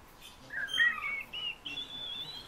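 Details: Fieldfare song for a vocal lesson: a brief phrase of slurred whistles rising and falling, ending in a drawn-out, thin high whistle.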